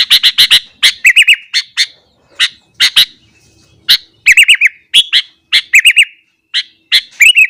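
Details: Morning song of a sooty-headed bulbul, sung to provoke other bulbuls; opens with a fast run of four chirps, then bursts of bubbly warbled triplets separated by short gaps.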